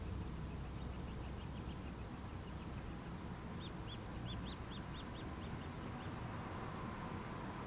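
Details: Nuttall's woodpecker chicks calling as they are fed: high, squeaky notes in quick runs, louder in the middle of the recording, over a constant low-pitched background hum.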